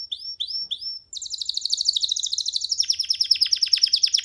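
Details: Young canary singing freely while perched on a hand, starting with three rising whistled notes, then launching into a rich, fast, rolling trill that changes into rapid falling sweeps.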